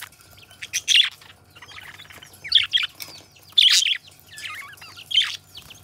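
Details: Pet budgerigars, a companion pair, give scattered squeaky chirps and short twisting warbled notes with quiet gaps of a second or more between phrases.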